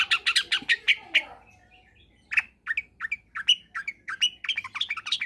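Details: Long-tailed shrike in combination song, a lure for shrikes that will not sing: fast harsh chattering notes at first, a brief pause, then an uneven run of varied chips and short whistled notes.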